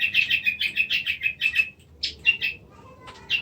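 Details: White-rumped shama from Indonesia delivering a rapid string of short, evenly spaced chirping notes for about two seconds, followed after a pause by a few separate notes.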